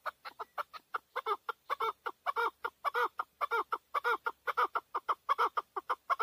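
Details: Male chukar partridge in Tajikistan, 2020, gives a rapid run of harsh, throaty chuck notes, about four per second, steady and loud throughout, with no other clear sounds.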